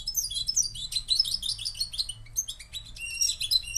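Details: Moroccan goldfinch singing a rapid, tumbling twitter of high, bright chirps and short tinkling trills, almost continuous over a few seconds.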